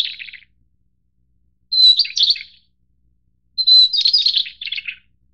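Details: Taiwan-endemic White-browed shortwing, subspecies goodfellowi, of mid- and high-elevation mountains, delivering high warbled phrases: a brief fading tail, then two bursts starting with a pure level whistle and tumbling into fast chattering notes, about two seconds apart, clean background.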